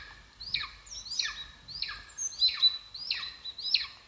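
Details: At a nest in Estonia in 2022, a golden eagle on a live camera gives six sharp, high, down-slurred squeals in quick succession, each dropping from a shrill peak to a lower tail.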